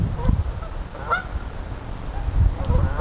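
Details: Geese in a crowd calling, irregular low honks roughly three per second mixed with a few higher nasal notes over a continuous low background rumble.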